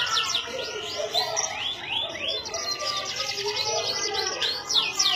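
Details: Canary in Indonesia singing: rapid high trills and repeated upward and downward whistled sweeps, dense and continuous, with a busy lower-pitched background murmur throughout.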